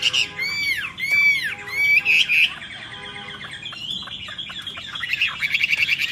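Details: Myna song: loud arched whistled notes repeated at the start, followed by a busy stream of chattering, squawking and twittering phrases.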